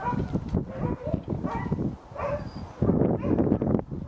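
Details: White-backed vultures at Eagle Heights, Kent, in August 2019, give harsh, hoarse squeals and grating cackles in a string of rough bursts, with a low, noisy rumble underneath.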